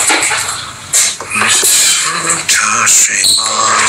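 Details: Pet rosy-faced (peach-faced) lovebirds playing together, giving dense, shrill, broadband chattering chirps that run almost without pause, with sharper squeaks near the middle and end.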